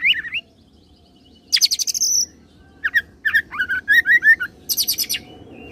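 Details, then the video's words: Oriental magpie-robin rolling through cililin and serindit imitations: a short warble, a fast high-pitched rattling burst, a series of quick looping chirps, and another shrill rattle near the end. "KACER ROLL CILILIN SAMBUNG SERINDIT"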